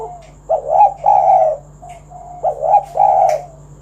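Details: Spotted dove, recorded to lure other doves into song, repeats a soft lead-in note followed by two burry, arching coos, twice in succession, with a faint click near the end.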